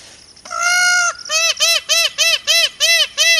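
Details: Indian peafowl opening with one longer, level wailing note, then breaking into a run of seven short, loud, ringing honks in quick, steady succession.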